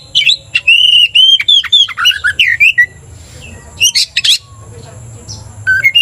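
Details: Oriental magpie-robin, kept caged, in an agitated song after being provoked: a burst of loud slurred whistles and squawky notes for three seconds, a pause, then sharp high calls, with constant background hum.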